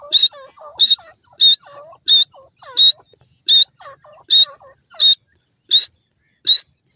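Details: Grey francolin (gora teetar) singing in jungle, a call said to bring its companions and mate near; ten loud, harsh repeated phrases about every 0.7 seconds, each a sharp high burst with lower swooping notes between, no other sounds.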